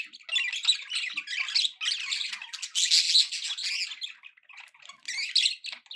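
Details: Budgerigars kept as pets chatter happily, with bright, buzzy warbling and sharp squeaks in lively runs, a quieter stretch after four seconds, then a final burst of chirps.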